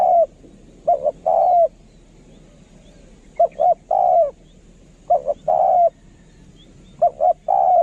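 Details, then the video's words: Spotted dove of the luring decoy type with a kharom voice, repeating a phrase of two clipped coos and one long mellow descending coo, with short pauses between phrases and a quiet background. "นกเขาใหญ่ สายต่อ เสียงต่อหมานๆเสียงนกคารม"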